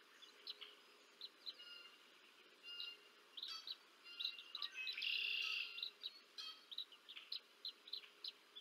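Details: Bald eagle on the Decorah North nest, 30 March 2024, feeding two small chicks. Thin chirps repeat about four per second, swelling into a strident, sustained squeal midway before the chirping continues.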